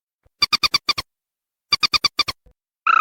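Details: Waterhen lure sound: two rapid runs of about six clipped, ringing pulses a second apart, ending with the start of a harsh nasal note.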